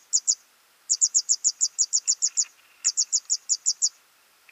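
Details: Feeding of nestlings: runs of high, thin, evenly spaced chirps, up to ten in a row, broken by short pauses, with faint lower chatter.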